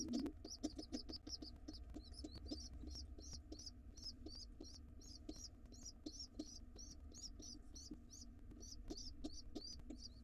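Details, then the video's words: Wild pigeon nestlings in a nest box beg to be fed fast when their father comes home; thin high peeps repeat about twice a second, steady and unbroken, over low rumbling and sharp knocks. "Pigeon nestlings are hungry!!!!! Dad comes home and the babies want to be fed fast."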